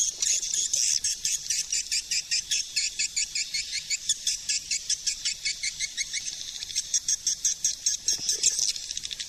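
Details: Swiftlet calling sound, suara panggil of 2020: a long series of sharp, buzzy pulses at a steady rapid rhythm, several per second, rising to a denser rasp toward the finish.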